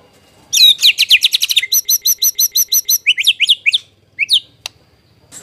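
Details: Lure song of the white-rumped shama, intended to make shamas answer and for tutoring: rapid downslurred notes, a measured series of repeated chiming notes, then scattered rising whistles and a click.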